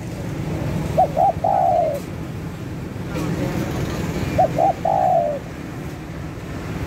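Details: ['Spotted dove recording meant to lure birds, giving two full phrases about three and a half seconds apart, each two quick short notes then a drawn-out descending coo, over continuous low background noise.']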